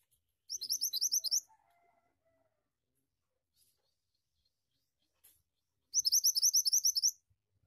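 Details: Two rolling phrases from a Pied Triller singing gacor ngeroll style, each about eight rapid high upslurred whistles, separated by roughly five seconds of near silence with faint lower tones.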